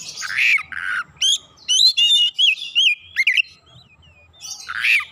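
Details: Oriental magpie-robin replying at once with its learned fill-in phrases. Buzzy harsh notes open a rapid run of clear twisting whistles and sharp chirps. A thin drawn-out whistle follows, then a final rasp.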